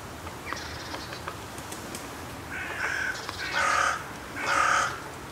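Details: At the Voßmoor on 3 Jan 2023, during a cold winter bird-feeding round with a chilly southwest wind, a carrion crow gives three harsh, raspy caws about a second apart, each louder than the last; geese chatter nearby, with rustling.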